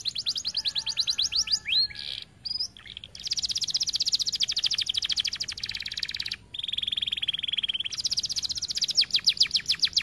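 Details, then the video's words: Lively singing canary for teaching others to sing: nearly continuous high rolling trills and buzzy rolls broken by brief gaps, with fast sweeping notes at the start and end. "Kenari gacor cocok untuk masteran"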